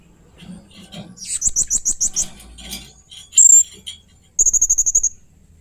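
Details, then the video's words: Blue-crowned hanging parrot making strange, fierce sounds in 'main singa' style: soft twittering builds into a fast run of sharp high chips, then one piercing shrill squeal and a quick burst of about nine metallic notes. "Burung Serindit Main Singa keluar kan suara aneh dan ganas"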